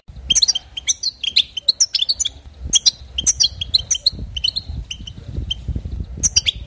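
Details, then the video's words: European goldfinch song to excite other goldfinches, loud phrases of sharp, sweet chirps and slurred twitters in clusters roughly every second, separated by brief gaps, over a low rumbling background. "بتبتات حسون جديده للتهيج نار"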